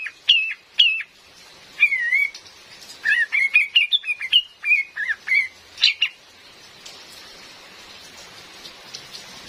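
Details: Cream-vented bulbul female calls used as a forest lure: a long lively sequence of sharp chirps and wavering whistles for about six seconds, then only the hiss of falling rain.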